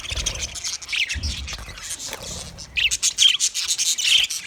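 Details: Budgerigars calling in an Australian aviary, rapid chirps and short whistled notes from several birds, rising in a lively run of pulsed calls near the end.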